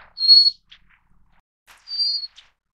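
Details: Little Forktail, Taiwan's endemic subspecies Enicurus scouleri fortis, a bird of mountain streams: two thin, high, steady whistles about 1.5 seconds apart, each followed by a faint short note, with a quiet background.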